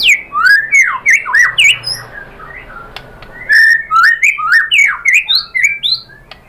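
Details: White-rumped shama (murai batu) song used as a lure to provoke other birds into singing and showing their repertoire: loud, varied slurred whistles and sweeping notes delivered rapidly, about three to four per second, in bursts with short pauses.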